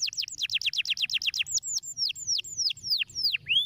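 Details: Stimulating canary song: a fast run of steep descending whistles, then slower repeated downward sweeps spaced about a quarter second apart, bright and high, over faint low background hum.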